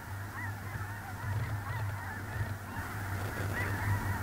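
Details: Many snow geese calling together on a small lake in central North Dakota, early November 2021. Rapid, irregular honks pile up into a loud, busy chorus that grows stronger toward the end, with a low droning hum beneath.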